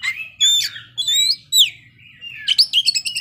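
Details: Oriental magpie-robin delivering ngeplay song with its isian phrases: loud piercing whistled notes, some sliding down, then a buzzy stuttering flourish near the end.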